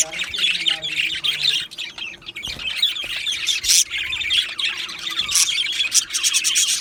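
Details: Two male Australian budgies producing a long run of scratchy chatter and high chirps, interrupted by a few sharp clicks and louder squawks, then resuming dense warbling.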